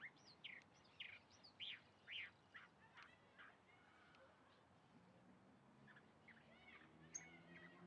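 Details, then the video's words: Singing chalk-browed mockingbird, locally called calandria, giving loud sharp upslurred notes in quick succession for about three seconds, then softer scattered chirps over a faint low hum. "Calandria cantando"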